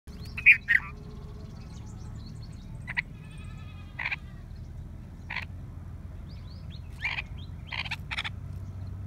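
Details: Red-vented bulbuls at a water pot in Tharparkar village, drinking, giving short, harsh chirps, single or in quick pairs, every second or two, over a steady low rumble.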